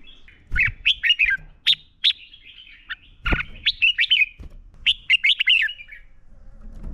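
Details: Red-whiskered bulbul performing a fighting song meant to train and stimulate birds; clear, rapid whistled phrases of sweeping notes, repeated in short bursts, with a couple of low thumps.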